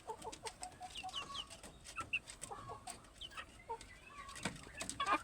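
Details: Plump domestic chickens clucking with short, high chirps and soft low clucks scattered irregularly, a few brief sharp notes near the end, with a person speaking briefly.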